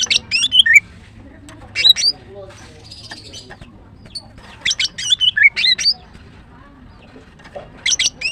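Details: Female greater green leafbird in morning song, delivering short clusters of piercing high chirps and rising squeaks separated by quiet gaps of a second or more.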